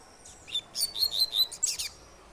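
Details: Double-collared seedeater singing its three-note "tui tui" song type: a short burst of bright, high whistled notes dropping and rising, quickly repeated over about a second, against a quiet background.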